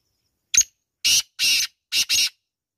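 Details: Kala teetar, the black francolin, giving its grating call: one short harsh note, then two longer rasping notes, a brief pause and two more rasping notes close together, all loud and scratchy with no background.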